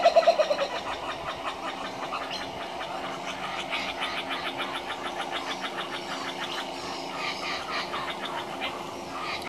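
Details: A pair of laughing kookaburras laughing in a rollicking chorus of rapid, harsh, chuckling notes that rise and fall for several seconds, after a few loud opening hoots.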